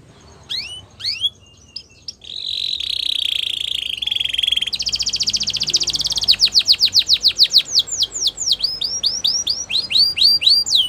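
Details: Belgian canary, a female, singing in the morning. A few scattered falling notes give way to a long buzzy rolled trill that rises in pitch. Rapid repeated slurred notes follow, in falling and then hooked patterns, over faint background noise.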